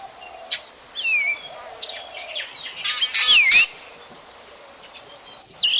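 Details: Black drongo calls used as a lure for night bird trapping: a few clear whistled slurs dipping then rising, with short harsh buzzy bursts and a sharp note at the end over quiet hiss.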